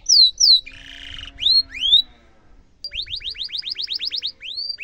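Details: Canary in full voice, song used as a master for young canaries: two loud falling whistles, a buzzy tone, rising sweeps, a pause, then a steady run of about a dozen rising notes and a final slurred whistle.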